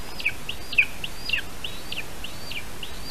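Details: Lesser spotted eagle at a spruce-tree nest in Latvia, 8:21 AM, 3 August 2019, as an adult brings a small bird to the young: a run of thin, high yelping notes, about two per second, each with a downward twist, over a low rumble.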